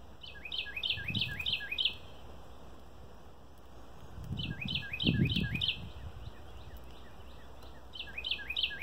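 A Red-winged Blackbird gives three quick bursts of five or six sharp, slurred notes, high and bright, over a low rumble of wind.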